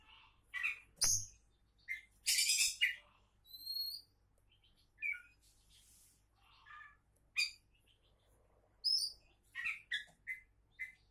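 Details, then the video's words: Oriental magpie-robin (kacer), called a future champion, singing a varied song of short phrases: buzzy bursts, clear rising and falling whistles and high thin slurred notes, separated by brief pauses, with steady low hum behind. "Kacer Calon Juara"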